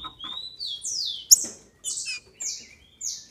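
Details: Female green-winged saltator, captive-bred in Brazil, heard as males' excitement lure: a rising-then-falling slurred whistle, a sharp click, then three short, high, flat notes repeated about every half second.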